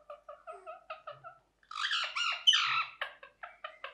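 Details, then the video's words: Parrot calling: a run of short, evenly spaced nasal chirps, followed by a burst of loud, harsh, overlapping squawks, then more quick chirps. "Parrot Chirping Sounds | Natural Parrot Sounds | Parrot Calling Sounds"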